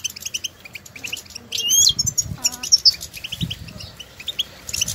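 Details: European goldfinches outdoors exchanging stimulating calls; high chirps and a loud buzzy swept phrase, a brief lower nasal call midway, over low rumbling background noise.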